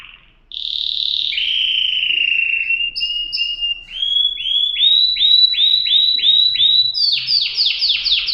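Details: Canary song opening with sustained whistles, then a steady series of about eight rising-then-falling swoops, speeding into a higher run of rapid swooping notes.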